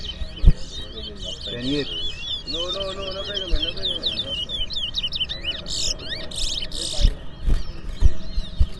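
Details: Twa-twa finch song in a two-bird race in Berbice, singing tallied aloud; fast high twitters and warbled notes run almost without pause, overlaid by men's voices and occasional knocks.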